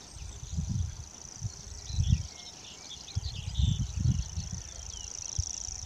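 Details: Continuous high mechanical reeling of a common grasshopper warbler, recorded at Morton Bagot in 2020, holding one even pitch throughout while soft low thumps and rumbles come and go beneath it.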